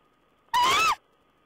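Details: Owl recorded on 14 April 2010 giving a single loud, rasping call lasting under half a second. The call rises gently and falls at its end, over a faint continuous high whine.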